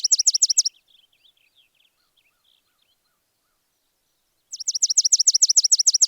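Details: Sparrow giving two quick bursts of sharp, high, downward-slurred chirps, about a dozen per second, the second burst lasting over a second and a half, with faint soft twitters in the quiet gap between.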